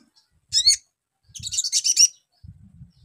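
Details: Ruby-cheeked sunbird song used as a lure for young birds: a sharp high chirp, then a longer run of rapid shrill twitters, with a low rumbling hum in the background.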